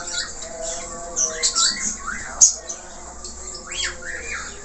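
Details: Budgerigar, an Australian parakeet, in vigorous gacor warbling with many varied notes: softer, scattered chirps, short rising-and-falling squeaks and scratchy high notes over a faint background hiss, with a sharp click midway.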